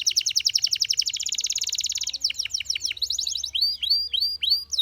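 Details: Belgian canary singing: a fast, dense high trill of rapid repeated notes for about two seconds, then quick downward-swooping notes, a brief rapid trill, and a series of separate arched, whistled notes near the end.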